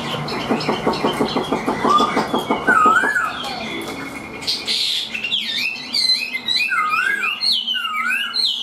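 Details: A captive, hand-raised Chinese hwamei sings loud, rich whistled phrases, with looping up-and-down notes and rapid repeated stutters, over a faint indoor background hum.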